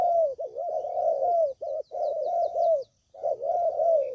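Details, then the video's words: Trapping lure of spotted dove coos: a steady run of low, mellow, undulating coo phrases about two seconds long, broken by brief pauses, with faint high chirping notes behind. "Suara Pikat Burung Tekukur Paling JITU"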